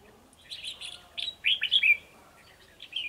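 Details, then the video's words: Two male red-whiskered bulbuls singing against a decoy during trapping on 9 December 2020: quick bubbly whistled notes, then a loud rising-and-falling warbled flourish midway, followed by softer chirps. "Bẫy chào mào 2 trống đòi chiến mồi"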